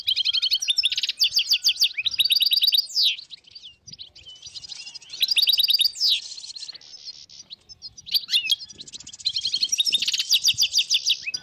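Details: Dozens of European goldfinches singing in the wild in northern Morocco, 2022, in repeated bursts of dense buzzy twittering and tinkling notes, each burst lasting a few seconds and separated by quieter pauses.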